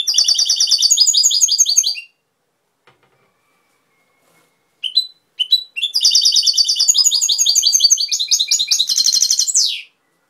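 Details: Goldfinch song from Cobia, Málaga, Spain: dense, fast twittering of bright, buzzy trills and chirps in two long phrases, separated by a silent pause with a couple of short call notes.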